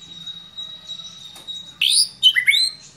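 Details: White-rumped shama (murai batu), agitated and responding to a lure, unloading its repertoire at once: a faint steady high tone, then a burst of loud sweeping whistled notes rising and falling near the end.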